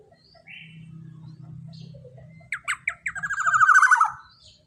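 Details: Black-naped oriole 'long shot' phrase meant to coax other songbirds: after a low hum, three separate loud notes, then a quick rolling run of notes sliding downward for about a second.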